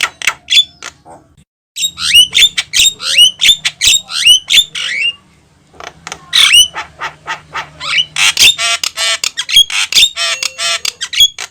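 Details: Javan myna (jalak kebo) in full loud song, used as a lure for catching mynas: harsh squawks and buzzy bursts mixed with sharp whistled notes, in rapid clusters with short pauses and a faint low hum behind.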